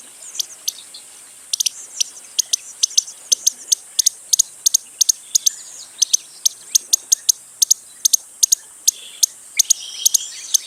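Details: Costa's hummingbird giving sharp, very high ticking chips, singly and in quick doublets, repeated about every half second with little else audible beyond a faint background hiss.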